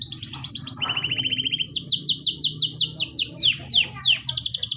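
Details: Canary song opening with a fast high buzzy trill, dropping to a lower, steadier rattling trill, then a run of loud repeated downslurred whistles about four per second, ending on another rapid high trill.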